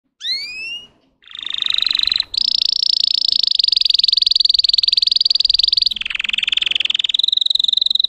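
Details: Russian singing canary bred for song delivering a sustained rapid trill near 4k, starting with a few upward-sweeping whistled notes, then a long buzzing roll that drops lower around six seconds before rising again.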